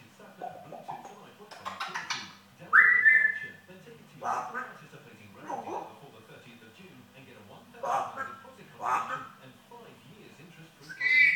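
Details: African grey parrot indoors producing talking-style mimicry, said to swear in a yam yam accent: several short voiced bursts and squawky phrases with rising whistled notes, spaced irregularly, over a low background hum.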